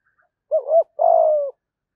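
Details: One cooing phrase from a spotted dove decoy in 'giọng thổ' style, luring wild doves: a rising double hoot, a brief break, then a sustained low coo easing down in pitch. Otherwise quiet.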